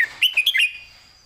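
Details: Red-whiskered bulbul kept in a cage, giving a clear master song in southern Thai style for training birds: one quick phrase of four or five liquid, bouncing whistled notes, ending in a fading tail.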